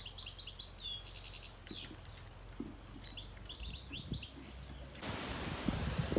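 A young greenfinch gives quick, high, twittering chirps, roughly three a second and unevenly spaced, before a burst of loud rustling noise at the end.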